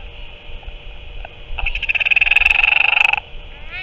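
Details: Northern royal albatross at the nest on 7 March 2024, an adult returning to feed its chick octopus: after a quiet start, a rapid run of harsh pulsed chattering, about four per second, lasts over a second amid a steady background hum.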